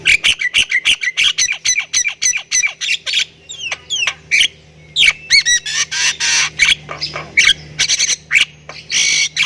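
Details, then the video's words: Energetic 'gacor full isian' song of a Javan myna (Thailand type): rapid clipped chatter, then sharply swooping whistles and broad rasping bursts, over a steady low electrical hum. "MERINDING DENGAR OCEHAN BURUNG JALAK INI || Jalak Kebo Thailand Gacor Full Isian"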